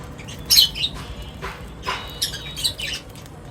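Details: At feeding time, birds give a few loud, sharp chirps with quieter squeaks between them and short pauses.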